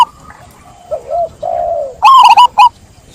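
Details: Zebra dove giving soft, low drawn-out coos followed by a loud, quick burst of rolled, bubbly staccato notes near the end.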